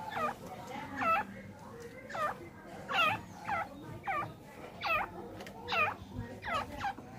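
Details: Female francolin, described as a tamed bird, calling: harmonic looping notes that dip then rise, repeated roughly every second over low background hum.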